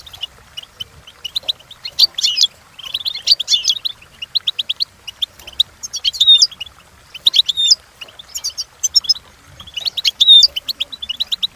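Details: European goldfinch song for training, delivered in phrases of about a second, each a rapid, buzzy, tinkling twitter, separated by short pauses and scattered single chirps.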